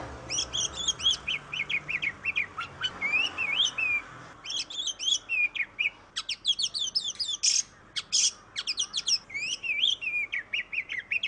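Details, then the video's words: Oriental magpie-robin singing, used as a lure for other birds: long varied sequences of whistled slurs, rapid chattering trills and scratchy bursts with brief pauses. "Suara burung kacer Kacer ngoceh Kacer gacor"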